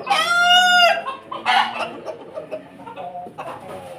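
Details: Pelung chicken crowing loudly in the morning: one long, strongly harmonic sustained note of under a second, followed by a rougher shorter call and softer clucking sounds.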